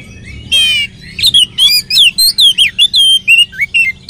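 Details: Oriental magpie-robin in lure song for encouraging other magpie-robins to sing; an opening trilled note, then a continuous fast string of loud whistled slurs and crisp chips.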